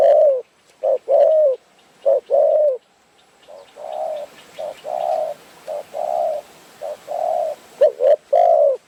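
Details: Wild Spotted Dove of Phrae, Thailand, cooing at a trapping site while trappers wait for birds. Loud, close paired coos open and close the sequence, and softer, more muffled sustained coos repeat in between.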